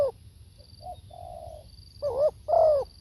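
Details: Spotted dove heard live: after a brief loud coo, a faint note and a soft drawn-out coo lead into two strong, rolling, dipping coos; a thin high tone runs through.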